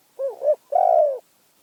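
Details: Single clear phrase of a Spotted dove from Phrae, Thailand: a short undulating double coo, a brief pause, then a sustained, slightly descending coo.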